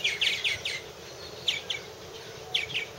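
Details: Purple martins at a nest house in 2014, heard on a long unedited cam: quick bursts of sharp chirps in clusters of three or four, pauses between, with a low background hum.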